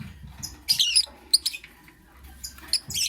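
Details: Lovebird chirping in the morning: bright, squeaky chirps and short twitters in quick bunches, a pause, then more sharp chirps closing the sequence.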